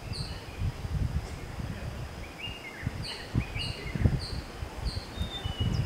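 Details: Tickell's blue flycatcher (Cyornis tickelliae) calling: thin, high, clipped notes repeated about every half second, with a few lower slurred notes, over a steady low rumble of wind.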